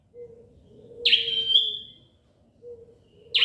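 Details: Bar-winged prinia, a small bird kept by bird fanciers, gives one loud, shrill note that starts with a sharp burst and then holds a high, steady whistle for almost a second. A second note begins at the end, over a faint low steady hum.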